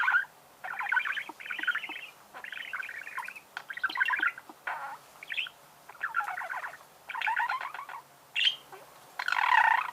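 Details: Budgerigar singing indoors: bursts of chattering, buzzy warbles and rapid clicks in short phrases separated by brief pauses, with a faint steady low hum in the room.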